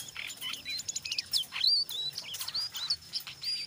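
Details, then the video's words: Lively brown jongkangan in ngeriwik style mixed with ngeplong, played to coax other jongkangan into singing: quick squeaky chirps and upward-sweeping whistled notes tumbling together in a fast high chatter. "SUARA BURUNG JONGKANGAN COKLAT NGERIWIK GACOR"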